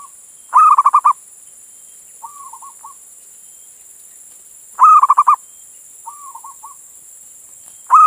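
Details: Indonesian local male zebra dove, calling a female as a lure: two full phrases over four seconds apart of a long coo and a fast pulsed trill, soft wavering coos between them, and a third phrase beginning at the end.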